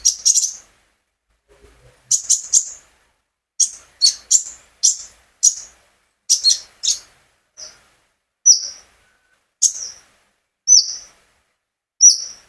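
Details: High-pitched song of a captive sunbird (konin, kolibri ninja), used to encourage other birds to sing: short, sharp double and triple chips and thin notes, spaced by natural pauses of about a second.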